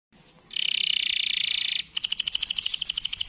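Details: Canary in long, full-power song: a sustained dense buzzing trill runs for over a second, then switches to a fast series of bright, evenly pulsed high notes.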